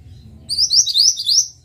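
A pied bushchat sings a quick run of four high, sweet rising chirps in just over a second, over a faint low hum.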